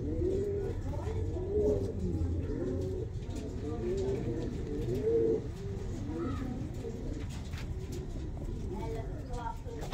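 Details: Fancy pigeons in Saharsa, Bihar, India, cooing repeatedly in low, rolling notes, several overlapping, with a faint higher note now and then and a constant murmur of background noise.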